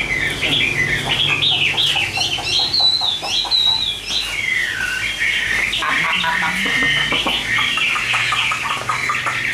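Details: A caged Chinese hwamei for sale sings long, rich whistled phrases that rise high and then slide down. Faint clicks can be heard, and people talk quietly near the end.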